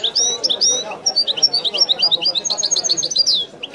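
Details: European goldfinch singing in the original Wydani song style: a fast, continuous twitter of high, sharp chirps and buzzy trills, about two per second, with a soft low hum beneath.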